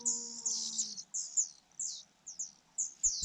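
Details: Begging Fujian niltava chicks while the mother feeds them: sharp, very high chirps in quick bursts about every half second, a steady low hum at the start and a thump at the end.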